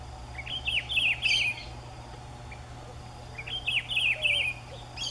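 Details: Rufous-browed peppershrike (Cyclarhis gujanensis) song, a regional dialect: a loud, rich phrase of slurred whistles repeated about every three seconds over a faint low hum; one of several populations compared for song dialects.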